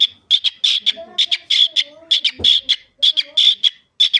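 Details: Pet cockatiel chattering in mimicked speech. Dense runs of shrill, clipped syllables repeat about once a second with brief gaps, and a low knock is heard midway.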